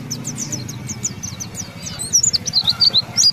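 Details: Pleci white-eye (Zosterops) kept as a contest songbird in Indonesia, in ngalas ngeroll song: thin high twitters at first, then louder, sharp down-slurred chirps in quick succession over a low background hum.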